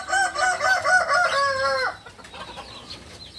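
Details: Beginner Balenggek rooster, a native Solok, West Sumatra chicken, crows in a run of short clipped syllables that merge into a longer held final note, under two seconds. Faint chirps of small birds follow.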